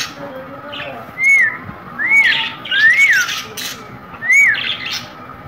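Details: Green parrot kept as a pet, giving loud arched whistled squawks, each rising then falling, about four in a row a second apart, with harsh noisy bursts between them and a faint steady hum behind.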